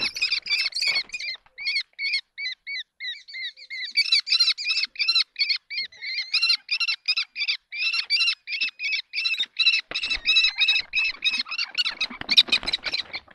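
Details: Common kestrels fighting over a nesting box give a rapid, harsh, repeated kee-kee-kee chatter.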